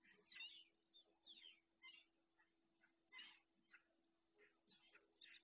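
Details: A common snipe (Gallinago gallinago) in Doñana National Park, Spain, gives short, harsh, rasping calls, about ten in quick irregular succession, over a faint steady hum.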